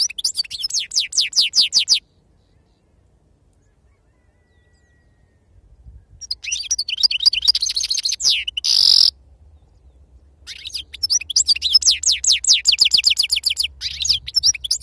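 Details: Authentic wild sarfati-style song of a European goldfinch. Long runs of rapid, sliding high twitters are broken by pauses and one harsh buzzy note, then the twittering resumes.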